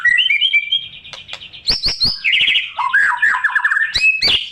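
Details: White-rumped shama song used to provoke silent shamas into singing: varied whistled phrases, slurred notes and rapid trills with sharp clicks, shifting between high and lower pitches over a few seconds.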